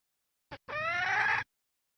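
A female red junglefowl gives a short click, then a drawn-out, slightly rising nasal squawk lasting under a second; nothing else is heard.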